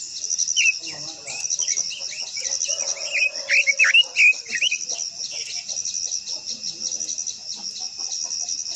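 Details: Quế lâm, the Japanese white-eye, giving a long-voiced stimulating song: a busy burst of sharp, high twittering and downslurred notes for several seconds, fading out, under a persistent high insect-like hum.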